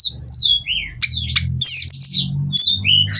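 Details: Captive-bred Oriental magpie-robin of the Cirebon race from Indonesia, used as kacer therapy song: clear whistled phrases sliding downward, interspersed with sharp chirps and buzzy high notes, over a steady low background hum.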